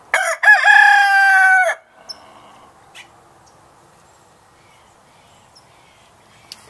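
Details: A gray rooster on a northern California ranch crows in the morning, a single strong, sustained crow with a stuttered opening, followed by quiet farm background with faint distant chirps and clicks.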